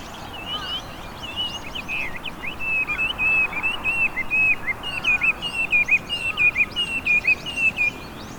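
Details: A Chinese hwamei, an invasive bird in Japan, sings in spring along cherry-lined Hanamizu River banks in Hiratsuka, recorded on a shotgun microphone. Starts soft, then builds into loud rapid whistled notes and trills in a busy, rhythmic run.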